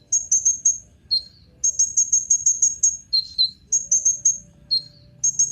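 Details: Very high, rapid twittering trills from a Van Hasselt's sunbird, called kolibri ninja, alternating with short lower chirps, repeated in quick bursts about three per second, over a quiet background with a faint low tone.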